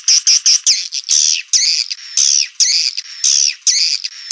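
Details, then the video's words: Swiftlets twitter in dense, buzzy, high chirping bursts about once a second, some notes sliding down in pitch, in a swiftlet call sound used to lure birds to swiftlet houses. "SUARA SUPER PANGGIL WALET"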